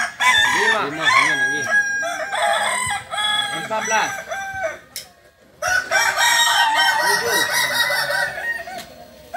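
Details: Landiak-class Balenggek roosters crow in turn at a Sunday contest in Ampang Kualo, Solok city. Long, wavering crows break into chains of looping syllables, with a short silent pause in the middle and a crowd of other roosters around them.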